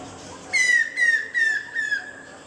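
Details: A Stork-billed Kingfisher near a residential complex in Krishnapur (Kestopur), Kolkata, gives four loud, harsh, slightly falling notes about half a second apart, over a quiet background hiss.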